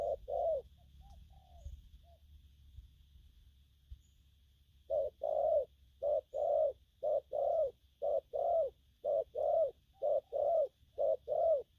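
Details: Young spotted dove cooing gù phóng and gù lăn: a brief coo pair, a few seconds of near-silence with faint soft notes, then a fast regular series of twelve strong low coos.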